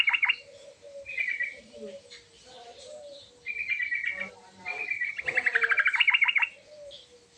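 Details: Persistent sooty-headed bulbul song with varied filler phrases used to provoke a reply: short chattering trills, soft low whistled notes, then a long loud stuttering buzzy trill near the end, with overlapping phrases.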